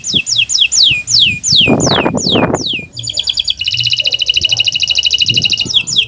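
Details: Canary master song to prompt non-singing canaries: a series of descending whistled sweeps with some background noise, then a long rapid buzzy trill and final slurred notes.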